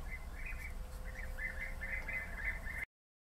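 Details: European bee-eaters calling with quick burry rolled notes in a near-continuous series for about three seconds, low background rumble.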